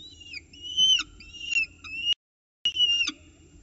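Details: Peregrine falcon chicks at a nest box in Orange, morning of 29 October 2018, during their first feed of the day; high whistled whining calls that bend downward at the ends, with clicks and a short gap.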